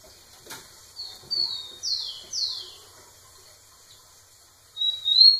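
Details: A rufous-collared sparrow singing repeatedly near a female: two short level whistles, then two loud downslurred notes, followed after a pause by the start of the next song with a rising whistle.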